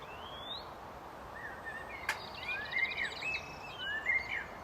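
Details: Common blackbird singing: mellow whistled phrases that rise and fall, starting softly and growing fuller after the midpoint, with thin high chirps from other birds and steady background hiss.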